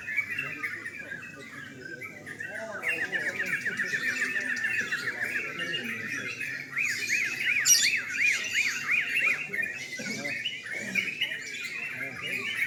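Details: Competing yellow-vented bulbuls at a nocturnal singing contest pour out fast, chattering, up-and-down warbles in an unbroken chorus that grows busier midway, with scattered sharp high notes.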